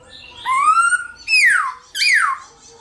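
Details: Black-throated laughingthrush singing in the morning, three loud, clear whistles: a long rising note, then two quick notes swooping downward, each about half a second apart.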